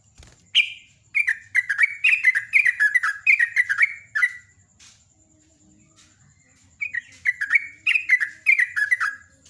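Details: Sooty-headed bulbul in lively morning song, ropel ngecruk style, pouring out a rapid string of about a dozen bubbly, downslurred whistles, falling silent for roughly two seconds, then resuming with another quick chattering run.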